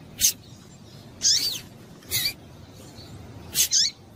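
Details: High, piercing call notes of a female double-collared seedeater, used to stimulate males; four brief bursts, some with a slight downward slur, at uneven spacing.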